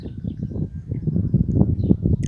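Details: A woodpecker on a pole in spring pecks with dull, hollow knocks in quick, uneven bursts, several per second, that echo slightly; a faint high note is heard near the end.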